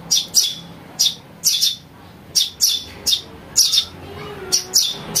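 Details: Young house sparrow used as a lure sound: rasping chirps delivered in pairs about every second, with a short quiet spell in between.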